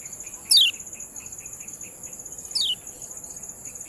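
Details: Ciak calls of the Lemon-bellied white-eye (kecial kuning), kept as a training recording: two loud, steeply falling sweeping notes about two seconds apart, backed by a continuous high insect whine.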